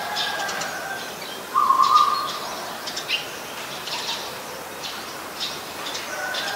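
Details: Eurasian tree sparrow, a resident bird recorded in Ubon Ratchathani, Thailand, on 10 May 2020: scattered short high chirps, with a brief buzzy lower-pitched sound near the two-second mark and a steady background hiss.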